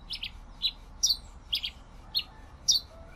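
Pileated finch song: high, sharp chips in small clusters, about two a second at an uneven pace, over a faint low background hum.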